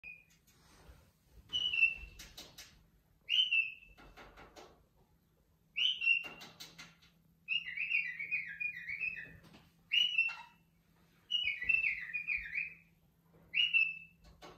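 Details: A pet cockatiel, happy to be outside the cage and teasing caged birds inside, gives loud, rising whistled calls, each followed by a warbling run, repeated every couple of seconds.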